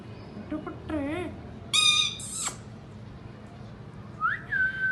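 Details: Chirping Indian ringneck parakeet in natural voice: a wavering nasal call, two bursts of loud rasping screeches, then rising and level whistled notes at the end, over a quiet low hum.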